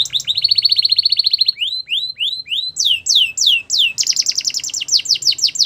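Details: Belgian canary singing to prompt other canaries: a fast even trill, a run of sharply descending whistled sweeps repeated about twice a second, then a rapid doubled-note trill.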